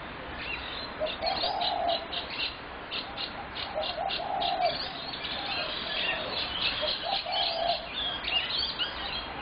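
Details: Spotted dove call, dated 21 January 2017: low, hooting coo phrases recur about every three seconds beneath a dense, constant racket of high chirps and twitters from many birds outdoors.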